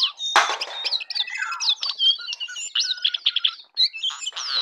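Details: A jongkangan sings in the morning with a lively, unbroken stream of mixed whistles, rising and falling slurs, and buzzy chirps, opening with a harsh rasp.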